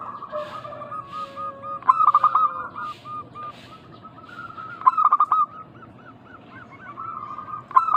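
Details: Energetic local zebra dove calls used to draw other doves into calling back. Rapid stuttering coo bursts alternate with softer rolling note strings, and a lower gliding tone opens the sequence.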